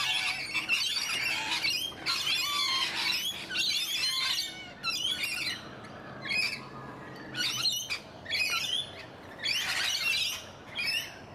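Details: Several Australian rainbow lorikeets in a Donvale garden screech harshly in irregular bursts, about forty-seven per minute. Loud overlapping squawks at the start are followed by shorter, separated outbursts.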